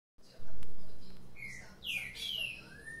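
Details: Caged green-winged saltator, one of two birds waking up lively, gives a few loud clear whistled notes, a rising then falling slurred phrase, with a faint click and low background hum.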